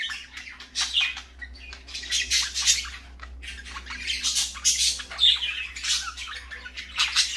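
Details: Morning parakeet chorus, a continuous stream of scratchy squawks mixed with thin high tweets from more than one bird, a low background hum running throughout.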